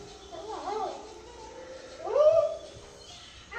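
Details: A 3-year-old male pet red-sided eclectus parrot muttering gibberish before bedtime, talking only when it thinks no one is watching; soft, speech-like warbling babble with wavering tones, one louder rising-falling phrase near the middle.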